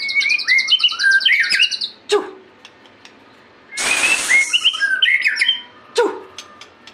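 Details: White-rumped shama singing actively: a rapid run of clear whistled notes sliding up and down, with high thin overtones, broken by a harsh broadband rasp near the middle before more whistled phrases resume.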